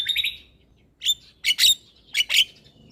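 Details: Black-winged myna song as a lure for stressed, silent birds: an opening buzzy trill, then three loud bursts of grating, metallic notes with clear whistled tones inside, separated by short silent gaps.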